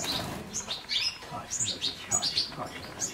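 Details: European goldfinch: dense, fast twittering of high, tinkling chirps and short buzzy notes, continuous throughout.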